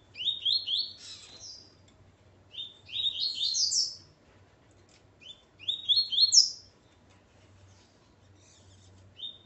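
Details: Coleiro (Double-collared seedeater), a male with his female, singing three short phrases of quick, bright notes that climb stepwise in pitch, each phrase about a second long with pauses between; faint low hum beneath.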